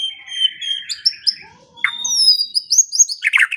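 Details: White-rumped shama training song: a wavering whistle, a pause, then a long clear whistle with bright rising notes on top, finished with harsh chattering bursts.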